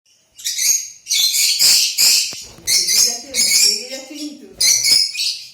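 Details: Pet Lutino lovebird making bursts of shrill, screechy chatter in short phrases, with a softer lower warbling sound between bursts.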